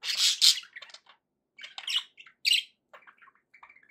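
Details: Happy budgies giving two loud harsh squawks, then softer chirps and brief warbles tapering into quiet twittering.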